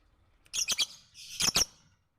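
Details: Lovebird recorded as a training song for other birds, giving two bursts of sharp, harsh, high chirps, each a quick double or triple note, separated by a short pause.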